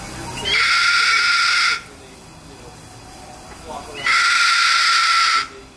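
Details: Skipper, a captive cockatoo at the Miami Seaquarium, greets visitors with two long, harsh, grating screams, each over a second, with a pause of about two seconds between them.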